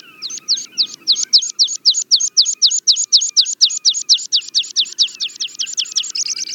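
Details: Song of a meadow pipit, a small streaky brown bird of moorland and rough grassland: a long, rapid string of high sharp repeated notes, about four per second, with another bird's soft lower notes and faint low noise behind.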